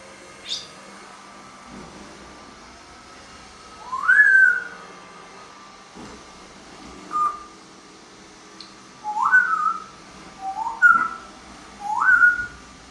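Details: A male Congo African grey parrot, almost five years old, gives short whistled, meow-like notes that rise and then fall, imitating a cat.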